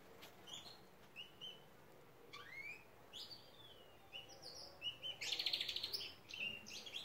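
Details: Belgian canaries kept in an aviary during their daily routine: scattered bright upswept chirps and short whistled notes, then a dense buzzy trill of rapid repeated notes near the fifth second, with several birds calling.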